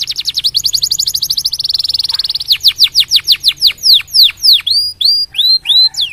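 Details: Canary song intended to set other canaries singing: a quick high trill tightening into a continuous buzz, followed by slower, strong downward slurs and curling whistled notes.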